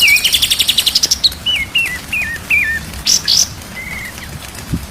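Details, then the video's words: White-rumped shama training recording: a quick high trill, then a series of clear wavering whistled notes stepping downward, a few sharp rising notes and a lone flat whistle, with hiss behind. "MASTERAN MURAI BATU SIANG dan MALAM"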